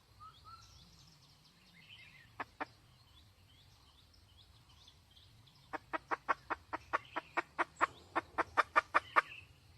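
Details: Red junglefowl hen heard at a distance over a low background rumble: two early clucks, then an accelerating series of crisp clucks, while faint chirps from other birds sound behind.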